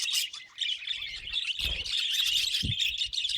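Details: Pet budgerigars producing a dense, sustained high chatter of chirps and buzzy warbles with a few low knocks in the background.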